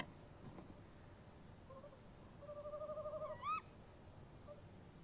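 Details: Tawny owl pair, male and female, calling to each other at a nest box around 03:07 on 23 March 2015. A faint, quavering hoot tremolo is followed by a sharp, rising hooked call, over a steady low background hum.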